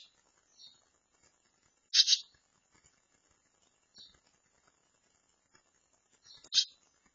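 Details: Barn swallow chicks near fledging in a handmade nest provided after their nest was destroyed nearby; two loud, brief, high harsh squeaky bursts a few seconds apart, with faint softer chirps between.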